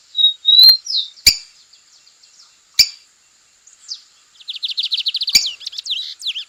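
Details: Lined seedeater singing firmly in nature, opening with a steady whistle that rises into downslurred notes, then after loud clicks a long, fast, chattering string of high notes.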